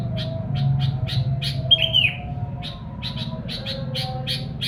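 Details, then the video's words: Sooty-headed bulbul song meant to draw in wild birds: quick, repeated, buzzy chirps with a single short whistled note in the middle, then more chirps at a steady pace, over a low rumbling hum. "kicau kutilang buat pancingan kutilang liar"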